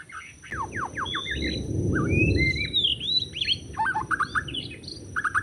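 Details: White-rumped shama in forest during bird trapping: sharp whistled slurs and sweeping notes, a fast varied sequence, partly over a steady low rushing noise in the middle.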